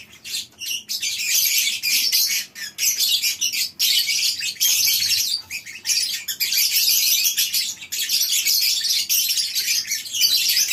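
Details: Lovebirds housed together in a breeding farm's colony aviary in the morning, their many overlapping sharp, high-pitched chirps forming a nearly unbroken chattering din.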